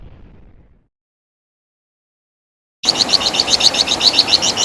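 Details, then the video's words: Flamboyan bird, also called Wergan Jawa in West Java, in a master recording for tutoring songbirds: after near silence, a fast run of sharp high chirps repeated almost four times a second fills the final two seconds. "Masteran Suara Burung Flamboyan | Wergan Jawa"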